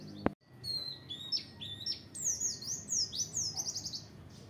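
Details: Oriental white-eye in the open-beak (buka paruh) training style: after a sharp click, a lively run of high, varied chirps and downslurred notes, quickening into a busy twittering phrase.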